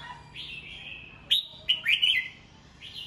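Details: Red-whiskered bulbul singing in the morning, kept as a cage bird for song training: clear whistled phrases sliding around a steady pitch, with sharp bright notes bunched in the middle and a last rising whistle.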